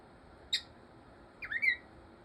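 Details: Pet cockatiel at play with its toy dragon amid kissing and peekaboo games: one sharp high chirp, then after a pause a rising, slurred whistled squawk, with a person's playful talk nearby.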